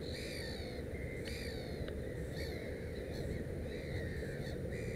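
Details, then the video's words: Black-headed gull near its three chicks, calling in drawn-out, hoarse, downward-bending cries spaced about a second apart, steady low rumble behind. "Озерная чайка"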